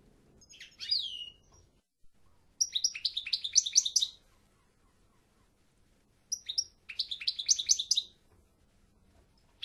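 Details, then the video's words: European goldfinch delivering two long, rapid twittering runs of stacked high notes, each about one and a half seconds, preceded by a single slurred chirp and separated by silence. "El Jilguero"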